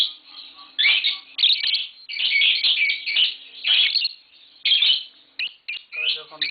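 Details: Tame green Fischer's lovebirds, a pair kept in a home with young, chatter in a run of high, scratchy chirps and squeaky twitters in uneven bursts, broken by brief pauses.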